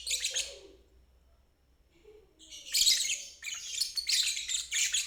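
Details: Lovebird ngeriwik trill intended for birds that stop singing and for learning fledglings; a short buzzy burst, a quiet pause with a faint low squeak, then renewed rapid high chattering.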